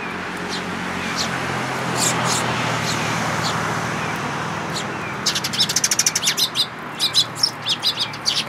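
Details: Eurasian tree sparrows at a feeding place in a plum tree at a Tenmangu shrine on 22 May 2022. A few faint chirps, then quick bursts of sharp, repeated chirps in the last three seconds over a steady low hum.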